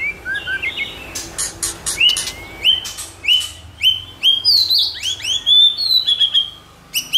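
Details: White-rumped shama song for stimulating shamas to sing: clicking bursts, then repeated rising whistled phrases with sharp ticks, some high slurred notes, roughly one phrase per second.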